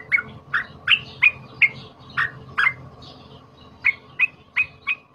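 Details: Cream-vented bulbul, a trapped bird in emotional, loud fighter song used for tutoring other birds: a steady series of about eleven bright, slurred chirps spaced roughly half a second apart, with one brief gap.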